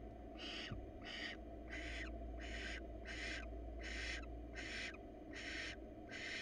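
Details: Barn owl pair, wild, before the breeding season in hot weather, the female soliciting the male; loud, wheezy hissing screeches repeated at an even pace of roughly one every 0.7 seconds.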